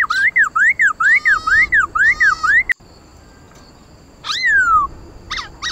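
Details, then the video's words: Black laughingthrush (khướu mun) in fighting song, with loud, rich whistles swooping up and down about twice a second, then a pause and a long falling whistle with a few sharp notes. "Tiếng khướu mun hót đấu"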